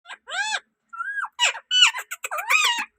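A rose-ringed parakeet talks in about six quick, squeaky, speech-like syllables, sliding up and down in pitch over three seconds; nothing else intrudes.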